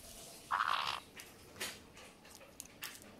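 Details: A pet white-bellied caique eating blueberries for the first time gives one harsh, raspy squawk lasting half a second, followed by soft clicks and crunching; its gurgling call means the food tastes good.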